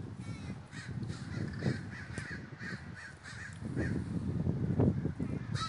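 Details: Crows congregating in a flock at Davis, California: a continuous chorus of scratchy overlapping caws against heavy low rumbling background noise.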